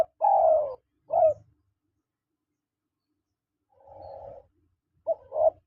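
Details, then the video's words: Male and female spotted doves: a drawn-out falling coo and a short coo, then after a pause a softer muffled coo and two more short coos, with faint low rumbling underneath. "SUARA PANGGILAN TEKUKUR JANTAN DAN TEKUKUR BETINA"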